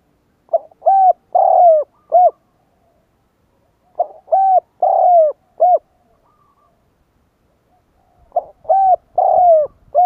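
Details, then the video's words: Spotted dove cooing to lure wild doves: three phrases of low, hollow, slightly falling coos, each a short burst of four notes, repeating about every four seconds with quiet gaps between. "Cu gáy gọi kích bổi nhanh nổi / Tiếng chim cu gáy kích bổi Hiệu quả"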